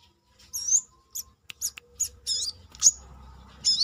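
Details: Brown-throated sunbird singing outside its cage, Indonesia: a varied run of high buzzy and twittering notes, short chips and bright slurred whistles in quick succession.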